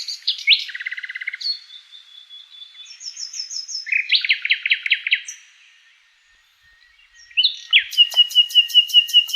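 A nightingale sings varied phrases: rattling trills, buzzy repeated notes and clear whistles, with a long pure note before a fast, loud run of chips.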